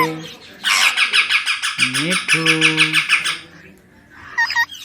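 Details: Baby pet Indian ringneck parakeet, said to be talking; a sustained run of rapid, raspy pulsed notes repeated steadily for about two and a half seconds while a man's voice speaks underneath, followed by a few brief squeaks.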